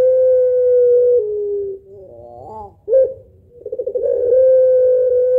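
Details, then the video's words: Pelung spotted dove, rhythmic long-voiced 'kuwok' two-note laughing coo used to attract other birds: a steady tone stepping slightly lower, a rising trilled phrase, a sharp note, then stuttered pulses swelling into a sustained coo. "Puter Pelung Ketawa Suara Panjang Berirama Syahdu Kuwok 2 Not Aduhai Gacor Buat Pancingan"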